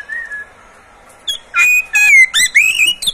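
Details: Oriental magpie-robin in a cage: a faint whistle, then loud strident bursts of sweet, rising and falling whistled notes mixed with harsh chips, delivered in quick succession.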